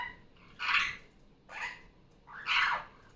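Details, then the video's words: A female superb parrot kept indoors, noisy again after coming off her nest, gives three loud rasping squawks about a second apart during Sunday morning playtime. "Barraband parakeet sounds. Sunday morning playtime."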